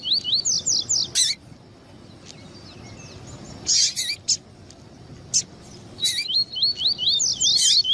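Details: Double-collared seedeater male and female calling to warm up a male for song tournaments: quick runs of high, wavy slurred whistles in short phrases, broken by loud harsh bursts, with a quiet gap in the middle.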